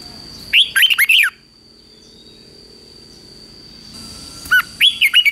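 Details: Morning training song of a Red-whiskered bulbul, prepared for competition singing in 2024: a lively warbled phrase of rolling whistles, a pause of about three seconds, then a second similar phrase, over a faint steady tone.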